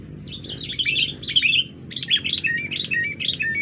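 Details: Unusual calling from a wild sooty-headed bulbul: a hurried jumble of bright chirps, then a quick string of repeated wavering, stepped notes, with faint low background hum.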